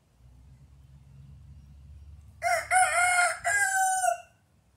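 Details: A rooster gives a single full crow, a strong harsh call of several linked syllables with a short break partway through, lasting about two seconds over a faint low hum.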